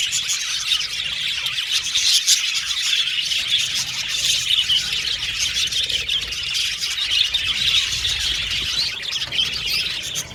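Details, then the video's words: Budgerigar flock chirping without a break, a thick layer of high twittering and squeaky warbled notes, louder bursts around the middle and toward the end, no other distinct sounds standing out. "Beautiful Budgies Chirping Sound"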